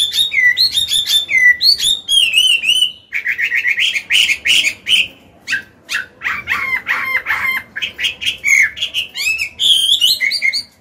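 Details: Chinese hwamei, a mature wild bird with a strong voice, used to train and excite caged songbirds: a long, energetic stream of whistles, trills and sharp rattled notes, varied throughout.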